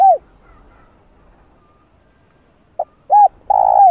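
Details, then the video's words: Spotted dove giving a cooing call, played to stimulate decoy doves to call. A descending coo fades out, then after a pause comes a short clipped note, an arched coo, and a long, level, mellow coo that slides down at the end. The background is quiet. "Cu Gáy Giọng Hạp Bổi Đủ Bài [ GÁY GỌI + THÚC + Gù ] Kích Cu Gáy Bổi Gáy"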